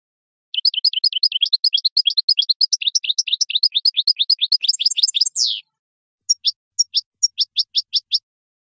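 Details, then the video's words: Wild European goldfinch, field-style campero song used to teach captive goldfinches: a long rapid series of tinkling, bouncing twitters ending in a rasping buzz, then a slower string of sharp separate chirps; clean recording. "CD CAMPERO PARA EDUCAR JILGUEROS"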